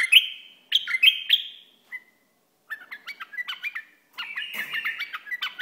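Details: Bulbul from Iraq singing loud fluty phrases, then a softer chattering series, ending in a sustained wavering warble with a faint rustle behind it.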